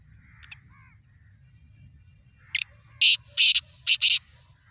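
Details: Black francolin, locally kala teetar, giving a loud harsh grating call: one short note followed by four buzzy, broad bursts within about one and a half seconds, after faint thin notes earlier; low steady rumble underneath.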